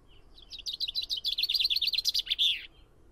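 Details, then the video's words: Two-second song of a common chaffinch: a cascading series of sharp, high, chipping notes that accelerates and descends, finishing with a brisk, slurred terminal flourish before a faint, low background hum. "O canto do TENTILHÃO-COMUM (FRINGILLA COELEBS)/CHAFFINCH SONG"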